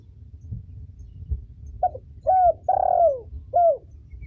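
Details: Spotted dove female cooing, used for training young birds: one short note followed by three smooth, falling coos, the middle one longest, over light low background noise.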